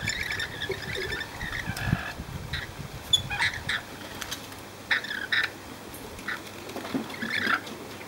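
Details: Rainbow lorikeets flying free around people in Cromer, Sydney: a long raspy screech at the start, then short sharp squawks and shrill notes spaced irregularly, with low background rumble early on.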